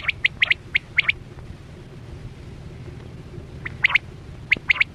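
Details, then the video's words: Chora quail lure sound from net hunting, 2024-25 season: crisp, piercing notes in groups of two or three, a quiet gap of about two and a half seconds, then more paired notes; low background rumble throughout. "Sound Of Chora Quail Batera"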